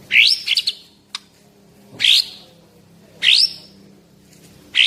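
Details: Caged white-rumped shama of the Medan type, male about 11 months old and 24 cm long, kept for song contests, delivering loud rising whistled phrases of about one second, roughly every second or so, with short gaps between.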